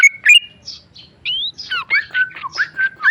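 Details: Tame male sooty-headed bulbul, kept as a caged songbird, giving a brief mixed phrase of clear whistles, upslurred notes and squeaky chirps, loose and irregular, with a soft low hum in the background.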